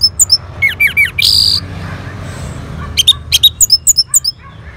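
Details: Orange-headed thrush in North Bali, Indonesia, calling back to a lure sound: sharp looping whistles and a buzzy burst, a pause, then a steady string of short high chips at about four per second.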